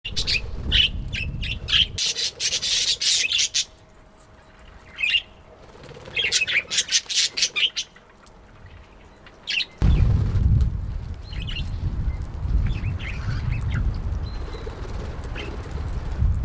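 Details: Budgerigars react at feeding time with bright, scratchy chirps and squawks over rumbling handling noise.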